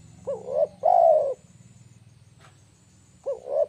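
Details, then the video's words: Tekukur, or spotted dove, lure call: a quick rising pair of low coos then a long, loud sustained coo, with the phrase beginning again at the end over a faint low hum. "SUARA AMPUH TEKUKUR PIKAT"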